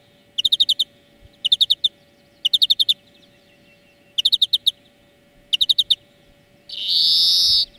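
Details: Greenfinch song for training cage birds: five short, rapid rattling trills, each about a second apart, ending in a drawn-out nasal wheeze.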